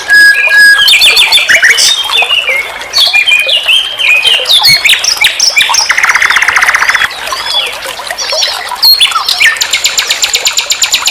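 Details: Common nightingale song from a master recording for tutoring songbirds: fast varied phrases, buzzy trills, pure whistles and rapid repeated notes, switching style every second or so.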